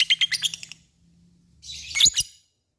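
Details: Caged lovebird singing in the ngetik and ngekek style: a quick run of about six sharp, high chirps, a short pause, then a dense scratchy burst of twittering notes.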